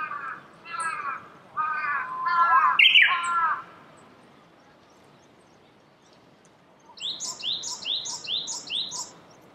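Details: Japanese bush warbler singing among cherry blossoms in Saitama Prefecture, Japan, in March 2019: loud phrases of bending, slurred notes low in pitch for about two seconds, a pause, then a quiet stretch and a run of quick, high, rising notes.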